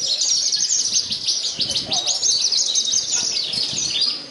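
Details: Contest Javan bush lark, first-place winner at Purworejo despite strong gusts, pouring out fast, high, scratchy twitters about three per second, overlapping neighbouring birds, with a low murmur of people and a brief knock at the end.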